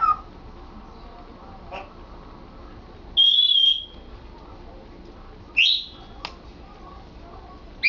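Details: Pet African grey parrot, male, practising talking indoors: sparse short high whistles, a level note, then a sharp upward flick, then another rising note, separated by quiet gaps.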